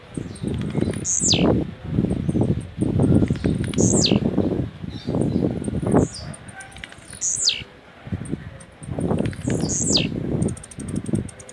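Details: Blue-black grassquit in a cage, Jacarepaguá, Rio de Janeiro, Brazil, singing rojão: high buzzy downslurred notes every few seconds, partly masked by loud repeated low thumping and rustling throughout.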